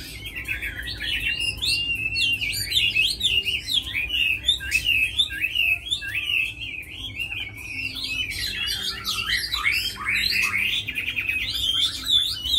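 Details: Long, unbroken, energetic song from a tamed hwamei praised for fighting and singing: tumbling high whistles, twisting slurs and scratchy notes mixed without pause.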